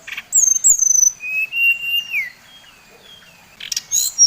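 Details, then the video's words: Brown-chested jungle flycatcher from Bali, lure song for provoking others: high sliding whistles followed by a long level whistle that drops at its end, then a brief high burst after silence. "Suara SRDC Bali Paling di sukai srdc lain | Pancingan Srdc bikin srdc lain naik emosi"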